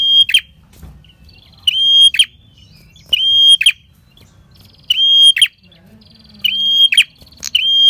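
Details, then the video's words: Energetic, drawn-out red-headed prinia song for luring wild prinias: a clear, even whistle ending in a buzzy snap, given about every 1.5 seconds, with quiet twitters between. "Pancingan PRENJAK KEPALA MERAH Gacor Ngalun"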